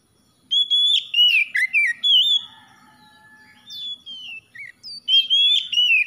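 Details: Oriental magpie-robin, a kept bird, singing a varied, loud song of clear whistled phrases, sliding and warbling notes broken by a brief pause, then a fresh burst of rich whistles.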